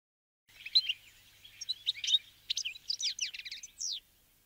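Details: Flock of Bramblings, Fringilla montifringilla, winter guests feeding on sunflower seeds; jumbled twittering of varied high chirps and slurred notes over about three and a half seconds.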